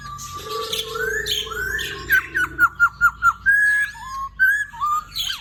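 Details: Black-throated laughingthrush singing lively: rising slurred whistles lead into a run of about seven short, evenly spaced clear notes, then a few rising and falling whistles, all over a faint low hum.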